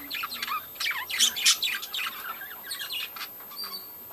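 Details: Many budgerigars of a breeding colony chirp and squawk in quick, irregular bursts, several calls each second, with short sharp notes standing out over a steady hiss.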